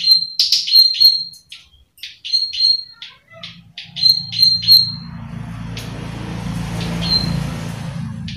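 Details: Plain prinia (rice-field prinia), a lure bird that calls readily, gives sharp, high "klik" clicking notes, about three a second, in uneven bursts for five seconds; then a low rumbling hiss of wind or handling takes over.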